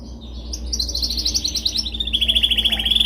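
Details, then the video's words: Canary song offered as a dominant training song: fast trills of repeated high notes, opening with a rising sweep and settling into a steady pulsed roll that gradually drops in pitch, with a faint low hum underneath. "Canção mais dominante de canary para treinagem."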